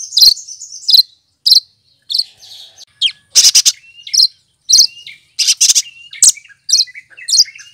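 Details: Cucak kinoy, or lesser green leafbird, mimicking other birds' voices: a busy run of varied high chirps, buzzy bursts and thin whistles, rapid and irregular, with almost no pauses.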